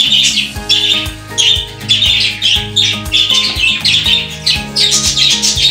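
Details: Several pet budgies in an indoor bird room chatter with dense, buzzy chirps and squawks in quick bursts almost without pause, mixed with continuous background music.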